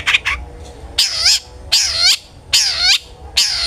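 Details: Long-tailed shrike used as a lure to prompt other shrikes to sing, giving loud nasal, downward-slurred squealing notes about once a second, each with a rasping edge, between two quick chirps at the start.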